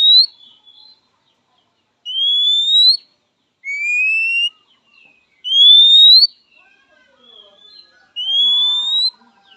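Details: {'caption': 'Kacer, the Oriental magpie-robin, giving its typical rival-calling whistle: five long, pure notes at slightly varying pitches, each rising a little, spaced roughly every one and a half to two seconds, with faint chatter near the end.'}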